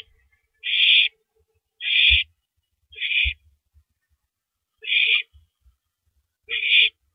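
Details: Owl downing a large rabbit at 3:33 AM on April 9, 2012; five short, coarse screeching hisses, the first three close together and the last two spaced out, with faint taps.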